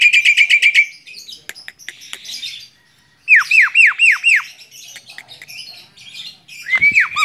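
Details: Singing from a hand, a tame Javan myna delivers a rapid burst of ringing repeated notes, some clicking chatter, then a run of loud swooping downslurred whistles and a final rising phrase.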